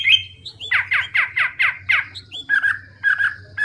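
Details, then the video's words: Hwamei giving a series of six harsh downward-sweeping notes at about three per second, followed by rougher squawky calls; low background hum throughout. "Hwamei/wambi gacor full isian suara keras jernih"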